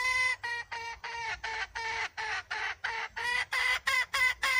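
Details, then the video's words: Wild red junglefowl hen cackling in a steady series of short, nasal, harmonic notes, about three or four per second, keeping an even pitch throughout. "suab poj qaib qus seev"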